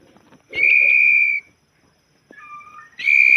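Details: Murai batu, the white-rumped shama, gives a long, loud, level whistle, then softer, lower, wavering whistled phrases, then another strong, steady high note. A few light taps sound underneath.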